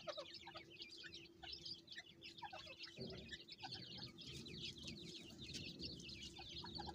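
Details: Farmed francolin chicks, with the mother calling them: a dense chorus of short high peeps, overlapping and continuous, with scattered lower notes and a steady low hum underneath.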